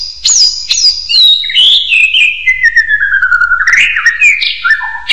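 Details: Hill myna giving loud, clear whistles that slide downward in long glides, opening with two sharp high notes, then a falling swoop, ending in short upward flicks and a lower note.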